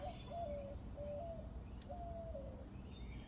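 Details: A dove in a Texas Gulf Coast backyard pollinator garden on a hot, humid morning around 8:30 gives soft, low hooting coos, some short, some drawn out and gently falling, about one per second, over a low rumbling background.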